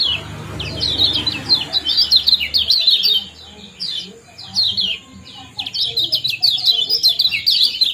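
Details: Kecial kuning in a 'ciak jos' mix aimed at stirring breeding condition: fast volleys of sharp falling chirps, a brief quieter gap midway, then renewed dense chirping, with a low hum early on and a steady faint high tone.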